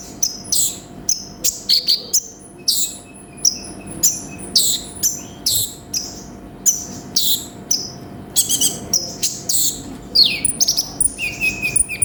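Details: Sunbird known as konin in a long, varied song: rapid high chirps, slurred whistles and buzzy notes, becoming busier and more jumbled toward the end.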